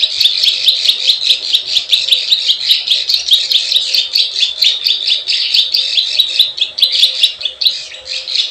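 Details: Plain prinia sound for luring wild birds, 'klik klik ciwah' type: an even stream of buzzy, rasping chirps about two to three per second, with crisp high clicks ticking above throughout.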